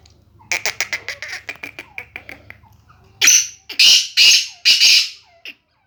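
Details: Sindhi grey francolin, a chakri-style bird said to call 270 times per minute: a rapid run of short clicking notes, then four loud, rasping, high syllables repeated about every half second.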